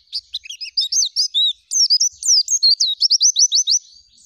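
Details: High, busy song of an oriental white-eye, energetic and full of fill-in phrases with rolling delivery: quick mixed chirps and looping whistles, a short break, then a rapid string of about fifteen even notes.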